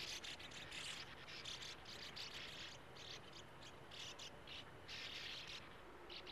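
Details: Breeding sand martins calling at nest burrows dug into a steep earth bank beside a gravel-pit lake. Continuous rasping, scratchy twitters come in overlapping bursts of about half a second, with hardly a pause.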